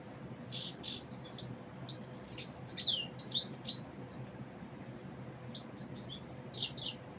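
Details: Common Iora calling with a series of varied high chirps, slurred whistles and short twitters, coming in irregular clusters through the clip over a faint steady hum.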